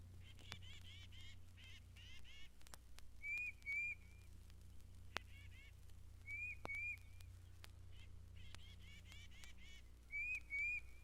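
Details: Yellow-shafted Northern Flicker (Colaptes auratus) at Mountain Lake Sanctuary, Lake Wales, Florida, gives bursts of nasal, rapidly repeated notes with paired short upslurred whistles between, over a steady low hum.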